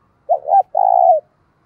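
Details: A single cooing phrase from a decoy spotted dove meant to rouse wild doves to call and fight: two brief soft notes, a short pause, then one long even low coo.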